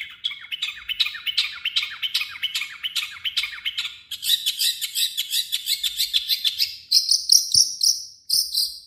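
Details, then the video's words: Long-tailed shrike singing with imitations of other birds, a rapid steady series of short buzzy chips that shifts into higher, louder notes, then a few spaced bursts near the end. "MASTERAN BURUNG CENDET"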